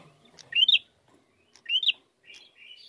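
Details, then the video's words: Bar-winged prinia giving a vigorous, fighting-style lure song: two loud rising slurred notes about a second apart, then softer flat buzzy notes at the end. "Pancingan Prenjak Gacor Narung Mantap"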